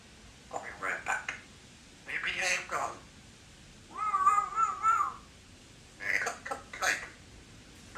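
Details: A three-year-old female Congo African grey parrot, kept as a talkative pet in a country home, speaks in short word-like bursts, with a clear whistled, wavering tone in the middle, between quiet pauses.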